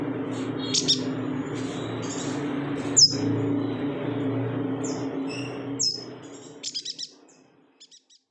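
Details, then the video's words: Yuhina song from Kalimantan for tutoring other songbirds: scattered high chirps and short whistles, one sharp downslurred whistle, then a closing series of quick clipped notes as a droning background hum fades out. "BURUNG YUHINA GACOR"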